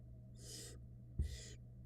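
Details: Barn owl nestlings in a Florida nest box, fed by the female: two harsh, breathy hissing bursts about half a second apart, with a soft thump between them and a steady low electrical hum.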